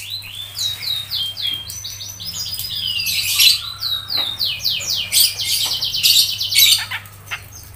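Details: Cucak jenggot, the grey-cheeked bulbul, singing tightly packed 'ngepik' chirps for keepers to train songbirds: rapid, high, overlapping sweeping notes and trills pouring out continuously, with a faint low hum underneath.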